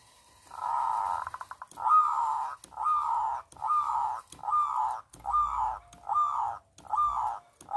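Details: Zebra dove of a local Indonesian strain, said to have a big voice, singing to draw silent doves into song: low, hollow cooing phrases about every 0.8 seconds after a brief stuttered start, indoors.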